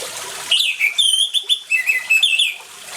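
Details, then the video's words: Orange-headed thrush singing loudly, played with water sounds to prompt silent thrushes to sing: a varied run of clear whistled phrases, some sliding downward, delivered in quick bursts after a brief quiet start. "ANIS MERAH GACOR DENGAN SUARA AIR, PANCINGAN ANIS MERAH MACET CEPAT BUNYI"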